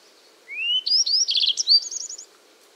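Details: Song of a yellow-browed bunting, a bird of East Siberia: rising thin whistle, short upslurs, a dense buzzy rattle, then a fast run of high twittering notes ending the phrase.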